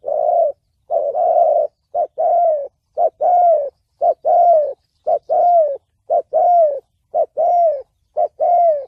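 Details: Spotted dove call in the 'thổ bầu' voice style, used for luring, trapping and training decoy birds: low mellow coos in paired phrases, a short note then a longer falling one, repeated about once a second, clean background.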